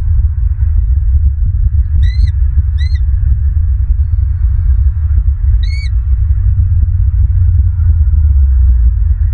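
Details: Bald eagles at a Southwest Florida nest, early morning of 28 January 2023, nest camera recording; three short, high, squealing whistled notes, the first two close together and the third a few seconds later, over constant low wind roar.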